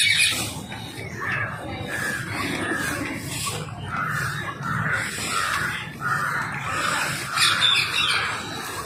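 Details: Wild rose-ringed parakeets at a feeding spot, giving rasping, grating screeches in a steady chorus, with some louder notes rising out of the din.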